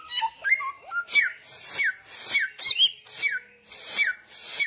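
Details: Samyong bird in full, insistent voice: it opens with short warbled low notes, then settles into a steady run of downslurred whistles over hissing bursts, about two per second.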